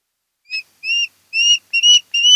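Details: An osprey at a mated pair's nest on Kent Island, Maryland, 10 August 2018 around 02:30–03:30, gives a run of five clear, high whistled chirps, each a little longer than the last, spaced under half a second apart.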